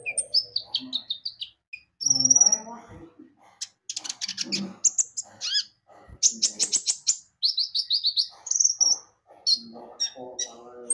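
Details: Javan white-eye song meant to lure birds into singing: bright twittering bursts and rising whistles mixed with some lower rough notes, delivered in quick, uneven groups.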